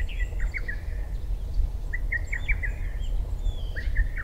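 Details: Lesser cuckoo at dawn in June past 4 am, Sony PBR-330 reflector with ECM-CS3 microphone; short, sharp dropping notes in quick bursts, mixed with thin high whistles from other songbirds over a low rumble.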